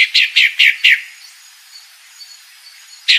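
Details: Female pale-breasted thrush calling: four short, bright, slightly descending chirps in quick succession, about a quarter second apart, then a pause of roughly two seconds before a single matching note; faint steady background hiss.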